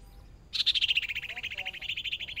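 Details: A decoy hwamei in its first practice bout bursts into a rapid, ringing trill of about ten notes a second that slides slightly lower, with nothing else heard after a quiet start.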